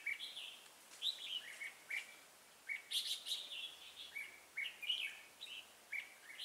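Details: Red-whiskered bulbul serving as a trapping decoy, singing a fighting song of short sharp whistled phrases repeated every second or so, with a louder burst of warbling near the middle.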